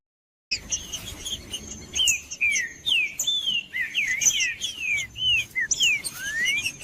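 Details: After a brief silence, a Green-winged saltator sings to stir up a cold captive bird: looping whistled notes that rise then drop, delivered in quick succession over high clicking chips and a faint constant high tone.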